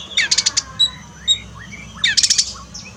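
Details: Pet Oriental magpie-robin in a cage, sung to rebuild a bird quiet after its moult; two bursts of rapid harsh buzzy chatter with thin whistled slurs between them.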